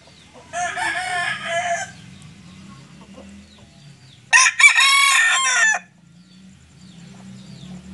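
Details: Two crows from a white Sweater rooster with no comb: a moderate, drawn-out first crow, a pause of a few seconds, then a louder, harsher crow of about one and a half seconds, over a low background hum.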